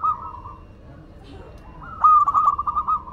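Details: Zebra dove from Madura singing actively: a soft, drawn-out coo, a pause, then a loud, rapidly stuttering phrase of mellow notes.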